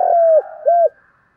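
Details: Spotted dove lure coos, used to provoke wild birds to fight. Two clear falling notes, the first longer than the second, then a brief fade to quiet.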